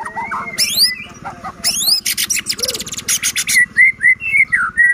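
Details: Lively murai batu singing meant to rouse other white-rumped shamas: rising sweeping whistles, loud buzzy rattling bursts, then a string of clear slurred whistles near two kilohertz, against a faint steady low buzz.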